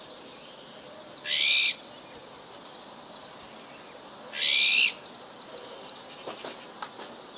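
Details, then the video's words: Winter calls of azure-winged magpie in Ria Formosa Natural Park, southern Portugal, recorded 31 December 2011: two loud, harsh, rasping buzzes about three seconds apart, with faint high chips and ticks scattered around them. "PIE-Bleue/Cyanopica cyanus/Cris/Hiver"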